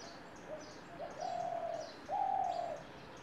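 Spotted dove giving soft low coos: two short lead-in notes, then two drawn-out hollow coos, the last slightly higher, over faint high chirping.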